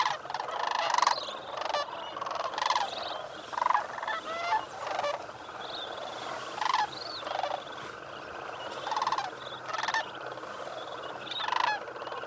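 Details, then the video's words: Sandhill cranes at a refuge pool in New Mexico just after sunrise in late November, about to leave the water for cornfields; repeated loud rolling bugles rise above a steady background murmur of distant crane calls, with bursts every second or two. "Sandhill Cranes at sunrise"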